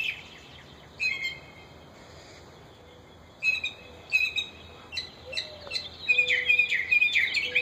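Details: Mockingbirds in a backyard, parents with fledglings: scattered sharp high calls, then a burst of rapid, crowded chattering in the last seconds.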